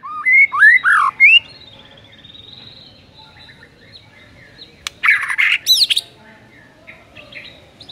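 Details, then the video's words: White-rumped shama (murai batu) provoking material for a lazy bird. Opens with quick rising whistles and a short trill, falls quiet, then a loud buzzy, sweeping burst around five to six seconds over faint background hiss. "PANCINGAN EMOSI MURAI BATU PEMALAS MATERI PEDES TEMBAKAN RAPET"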